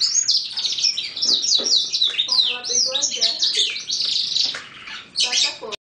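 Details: Six-month-old male Lizard x Roller cross canary whose developing song is becoming clear, mixed with borrowed sounds. Dense, continuous high warbling of fast rising and falling notes and chattering trills, with faint human voices in the background.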